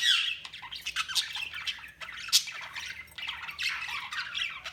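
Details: Budgerigars chirping nonstop, busy overlapping warble and scratchy chatter with a loud squawk just after two seconds and sharp notes at the start.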